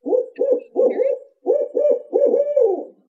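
A Barred Owl gives a rhythmic series of about seven deep, husky hoots in quick groups, the last one drawn out, the familiar 'who cooks for you all' pattern.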